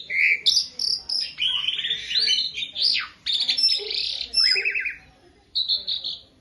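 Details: Asian pied starling song used as a training recording for beginner birds: a dense, continuous run of harsh, buzzy and squeaky phrases with high whistled notes, short bursts broken by brief pauses, no other sounds.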